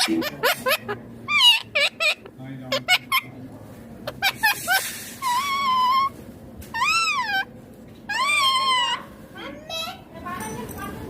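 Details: Green Indian ringneck parakeet in a room, starting with fast clicking and short chatter, then drawn-out, wavering, voice-like whines repeated several times with gaps between.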